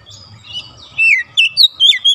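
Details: Kacer or magpie robin, caged: a faint opening warble, then a loud series of four clear whistled phrases, each a falling or wavering slur.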